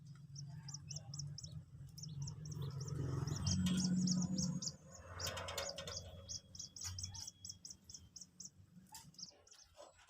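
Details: Two-day-old captive Common Moorhen chick, newly hatched, being taught to eat feed pellets; rapid high thin peeps repeated about four times a second in steady runs, with a low hum and handling noise underneath, louder in the middle.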